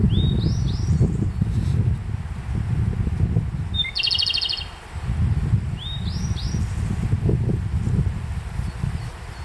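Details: Japanese robin singing in a bright bamboo-grass meadow at Konashidaira, Kamikochi, in late May: one short note then a fast, high rattling trill. A grey bunting answers with high rising stepped whistles, over a steady low rumble.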